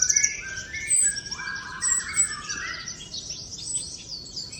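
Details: A common iora sings in the wild, trotol style. Stepped whistled phrases slide downward beneath a busy, shrill chatter of fast notes, with a few sharp accented peaks.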